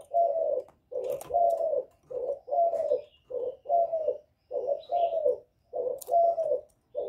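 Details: Spotted dove, 'Thổ' voice style, cooing to provoke wild rival males: a long, even run of paired low coos, each short note followed by a longer wavering one, with a couple of sharp clicks in the background.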